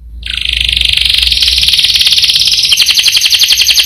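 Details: Canary holding a long rolled trill: a continuous fast, buzzy pulsing of notes that steadily continues for several seconds with only slight shifts in pitch; low hum underneath.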